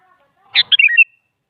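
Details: Sooty-headed bulbul (Pycnonotus aurigaster), song: lure to prompt a silent bulbul to answer.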